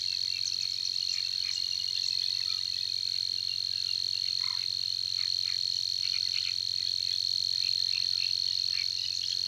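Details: Savi's warbler reeling at Tancat de l'Illa, a continuous high buzzing trill without variation or break, accompanied by short scattered ticks and chirps from other animals in the background.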